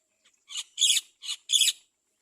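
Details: Baby Great myna calling while its mother feeds it; four harsh, rasping, noisy bursts, alternating softer and louder, packed into under two seconds.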